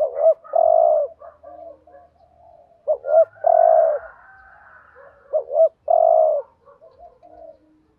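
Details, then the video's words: Decoy spotted dove delivering thúc gù coos to provoke rival males: three phrases of paired short notes and a long coo, separated by soft murmuring notes. "chim cu gáy thúc gù BÀi BẢn/ tiếng chim cu gáy kích bổi và mồi rất xiêng gáy"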